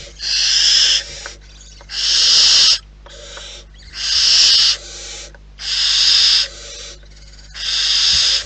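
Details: Wild barn owls at the nest: a series of harsh, broadband hissing screeches, each lasting about a second, repeated roughly every two seconds in a steady rhythm.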